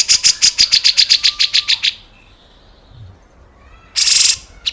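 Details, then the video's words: Grey-cheeked bulbul in the rough 'besetan kasar' style, a clear master recording for training caged cucak ijo and murai batu. A fast run of about fifteen short, high, buzzy notes over two seconds, a pause, then a dense harsh burst. "BESETAN KASAR CUCAK JENGGOT MASTERAN SUARA JERNIH"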